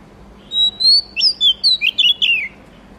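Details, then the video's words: Oriental magpie-robin (murai kampung/kacer) singing a rich phrase of clear whistles, opening with long level notes and breaking into quick sweeping, varied chirps over about two seconds. "suara murai kampung/ kacer"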